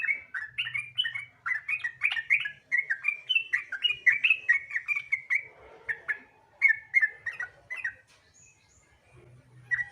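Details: Sooty-headed bulbul lure song meant to get other bulbuls singing quickly: fast bubbly whistled phrases rising and falling, a brief lull, then more chirping notes, with occasional low hum.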